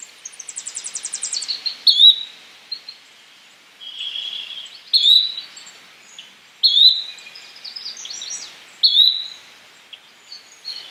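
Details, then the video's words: Yellow-bellied flycatcher calling: a short, sharp rising whistled note repeated about every two seconds, five times, with a rapid high ticking series from another bird near the start and faint chirps between calls. "Yellow bellied Flycatcher Bird Sound"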